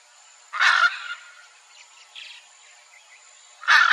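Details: Wild Hyacinth Macaw pair vocalizing together: a loud grating squawk, a few softer muffled calls, then a second harsh squawk about three seconds later, with faint birdsong behind.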